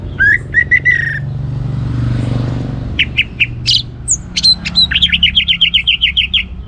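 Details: Orange-headed thrush in vigorous song meant to make other birds sing: repeated clipped whistles, a brief noisy swell, then an even rapid series of about ten bright notes.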